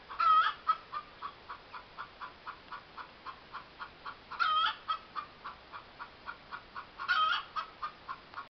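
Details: Yard hen keeps up a long cackling bout: rapid, regular clucks broken three times by louder, longer rising-falling squawks, each about three seconds apart.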